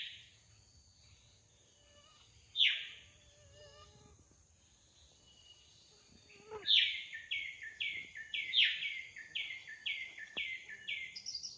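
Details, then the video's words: Drongo in the wild: one loud falling note, a pause with soft whistles, then a rapid run of about ten descending notes that step upward in pitch toward the end. "Suara burung srigunting asli di alam liar gacor"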